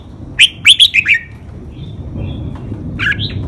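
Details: Red-whiskered bulbul, a cage bird, singing a clear five-syllable master song of the 'lak wai' style used for training other birds: a quick burst of four to five bright warbled notes, then a pause and a shorter two-note phrase, over low background hum.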